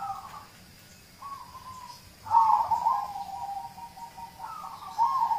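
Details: Local zebra dove song played as a prompt to get other birds singing: soft, mellow cooing phrases near one pitch, some with quick trilled warbles, separated by short pauses over a quiet background.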